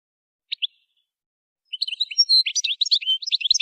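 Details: Goldfinch song for song training: two short high chirps, a pause of about a second, then a quickening burst of twittering notes and short buzzy trills.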